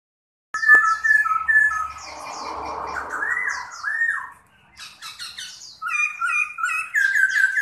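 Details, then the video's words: Caged Chinese hwamei singing while fanning and flapping its wings: loud clear whistled phrases near the middle pitch, rolling slurred notes and quick repeated high chirps, with a short pause before a new burst of varied whistles. "CHIM KHƯỚU TO ĐẸP - HÓT XÒE MÚA CÁNH"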